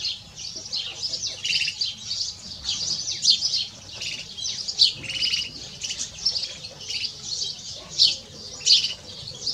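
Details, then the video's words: Canary x goldfinch mixto pouring out continuous high twitters and buzzy trills, punctuated by sharp bright notes every second or so. "Mixto de jilguero (canary x goldfinch ) - هجين الحسون"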